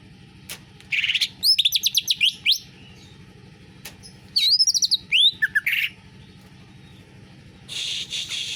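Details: Canary-flavoured song from a greater green leafbird: two bursts of fast, high, repeated chirping notes with sharp upward-swept whistles, separated by quiet pauses, and a soft rasping buzz at the end.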